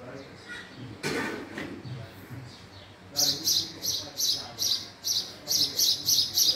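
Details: House sparrow chirping: after a few seconds of a man talking, sharp high chirps repeat in a steady run, about one every third of a second.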